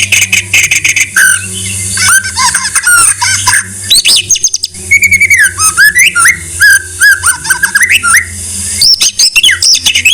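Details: White-rumped shama song for keepers: rich varied warbling, with downslurred and upslurred whistles, chattering notes and quick high ticks in a long, continuous sequence.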